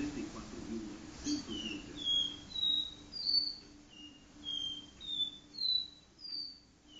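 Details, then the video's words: Caboclinho seedeater performing the do-re-mi song style in a living room: a run of about a dozen pure whistled notes, alternating higher and lower pitches, roughly two per second, over faint steady indoor hum. "caboclinho do-re-mi na sala"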